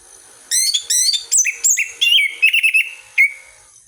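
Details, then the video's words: Orange-headed thrush song played as a lure to stimulate birds: rapid sequence of sharp chirps and loud whistled notes, mixing high slurs with lower clear phrases, ending in a single whistle. "Pancingan anis merah paling ampuh"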